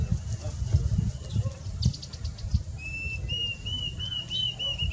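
Diederik cuckoo gives a run of clear, high whistled notes, each rising slightly, in the second half; low wind or handling rumble and a few thumps come first.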